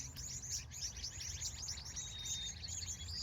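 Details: Many birds chattering at sunset in California in the evening, rapid high chirps crowding together, with a thin sustained whistle late on and a low rumble underneath.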